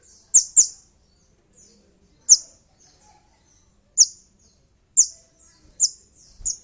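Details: Sogon (little spiderhunter) as a lure to stir a rival into song. Loud, high, downslurred chips come singly or in pairs at irregular intervals of about a second.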